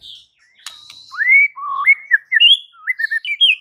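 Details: White-rumped shama master song for training mute birds: a rising whistle, low warbled notes, then a quick chain of bright looping whistles climbing and falling, after a couple of clicks.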